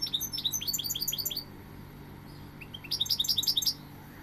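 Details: Goldfinch delivering two bursts of quick, bright, tinkling twitters, the first about a second and a half long, the second shorter after a pause, with a steady faint hum.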